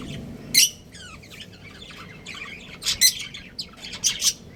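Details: A breeding pair of pet budgerigars making scattered chirps: sharp high squeaks and short, rapid descending chatter notes. Several louder chirps stand out over a quiet background.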